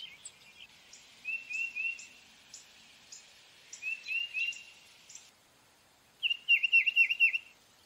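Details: Tufted titmouse singing, soft slurred whistles at first, then a loud clear run of five rapid down-slurred whistled notes near the end, with faint high chips underneath.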